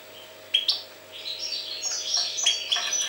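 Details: European goldfinch song: quick high twittering and tinkling notes mixed with short sharp chirps, steady and lively throughout, with a faint steady hum beneath.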